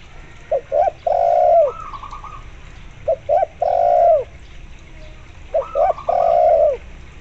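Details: Spotted dove in full voice, accompanied by a local zebra dove as a lure to draw zebra doves into calling: three phrases about every 2.5 seconds, each two short clipped notes then a long mellow hum, with higher stuttering zebra dove coos after two phrases.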